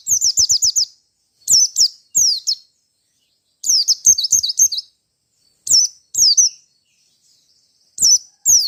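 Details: Merapi white-eye singing as a fighter seeking a rival: opens with a fast string of about six identical high notes, followed by scattered down-slurred chirp pairs and a brief trill, with silent gaps.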